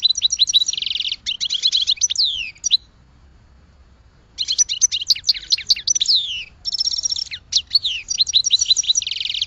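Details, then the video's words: Goldfinch song: rapid, high twittering of jingling notes and buzzy slurs in two long bursts separated by a short silent pause, with clear, quiet surroundings. "Goldfinch Song"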